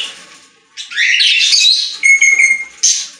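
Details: Budgerigars singing in a pet store; busy warbling chatter with buzzy rasping notes and a few clear whistled tones, rising and falling in continuous overlapping phrases.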